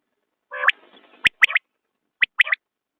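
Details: A hoarse nasal note from a common quail leads into two bright, clipped three-part phrases, high and sharp, about one second apart with no other sounds.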